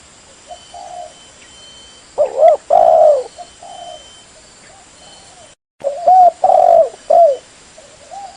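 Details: Spotted dove call used to lure birds: soft distant coos, then a loud pair of short coos with a long falling coo, a brief silent cut, and another loud phrase ending in a clipped coo.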